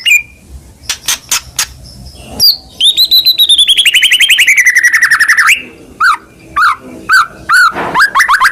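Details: White-rumped shama, kept as a caged songbird, singing loudly: sharp clicks and short notes, then a long rapid trill sliding gradually downward, followed by spaced whistled notes and a rising sweep.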